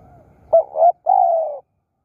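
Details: Spotted dove, kept as a decoy bird, giving low hollow cooing: a short two-part coo followed by a longer drawn-out note that falls slightly, clean and without other sounds.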